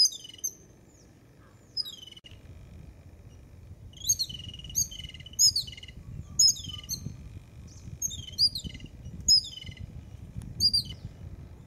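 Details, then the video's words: A group of jungle babblers in the morning gives harsh, squeaky chattering notes in quick bursts, roughly every second, over a steady low rumble of background noise. "JUNGLE BABBLER BIRDS"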